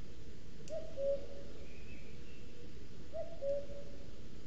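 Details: Two low cu-coo phrases about two and a half seconds apart, each a higher note dropping to a lower one, from a male common cuckoo claiming territory all day, Sierra de Guadarrama National Park webcam, Spain; faint birds behind.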